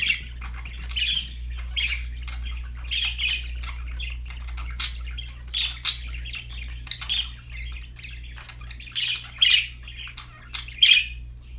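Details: Cheerful budgerigar chirping, sharp high chirps and brief squeaky notes scattered irregularly, under a minute-long feel of relaxed chatter, with a faint low hum behind.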